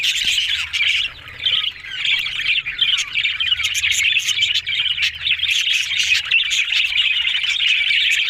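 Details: Several budgies warble in a continuous, scratchy stream of chirps and squeaky notes, steady in loudness with one short dip early on.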